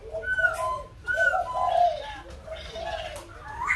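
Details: At Kbang, a white-crested laughingthrush delivers two quick bursts of mellow, rolling hoots, with a few clear whistled notes and soft chatter in the background.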